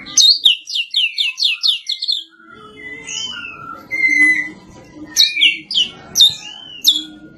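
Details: Champion competition white-rumped shama, a caged bird, singing a rapid series of repeated high chirps, then varied whistled phrases and sliding notes, with a low hum underneath.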